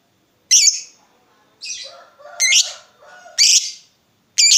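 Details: Lovebird lure call meant to get other lovebirds to reply: loud, harsh, high squawks about once a second, with softer, lower, scratchy chatter between them.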